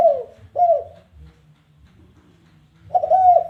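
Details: Spotted dove challenge call used as lure material: two short, gently falling coos, a pause of nearly two seconds, then the start of a longer stuttered coo phrase.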